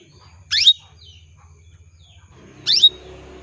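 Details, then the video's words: Female canary calling to males to prompt them to sing: two loud, rising, buzzy sweeps about two seconds apart, over a faint low background hum. "PANCINGAN KENARI BETINA MEMANGGIL JANTAN"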